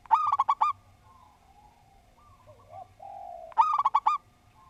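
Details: Local zebra dove singing a well-ordered song, two bursts of quick bubbling coos about three and a half seconds apart, separated by softer, drawn-out cooing notes and a steady hum.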